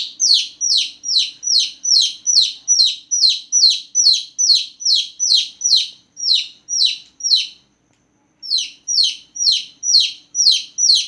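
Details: Loud night chirping from small newborn chickens. Insistent falling peeps repeat rapidly and evenly for about seven seconds, pause briefly, then start again at the same pace.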